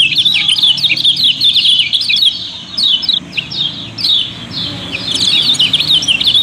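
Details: Kept yellow-bellied prinia from Lombok, a contest songbird, pouring out a fast, crowded run of thin high chips and flicking whistles with scarcely a pause, used as a lure to get other birds singing.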